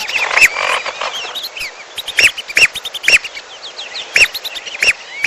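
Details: Trapping lure recording of lesser whistling duck mixed with piolo: bright, arched whistled notes come in irregular bursts, with dense background chirping, squeaks and rising calls from other birds throughout.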